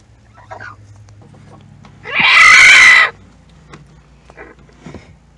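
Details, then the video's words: Small white hen in a backyard flock screaming because she needs to lay an egg while a broody hen guards the nest; one loud, harsh, raspy squawk about a second long, with soft clucks and a low hum around it. "Screaming Chicken"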